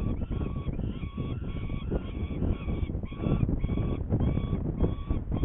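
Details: Saker falcon in Hungary, 21 May 2019, 11:30, apparently not hungry while about to take prey, giving repeated harsh, nasal wailing calls, several a second with short gaps, over steady low wind rumble.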